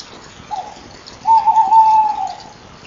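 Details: Tawny owl heard from a nest-box camera at 19:29 in late November 2012: a short soft note, a pause, then a long wavering, quavering hoot of about a second and a half over low background noise.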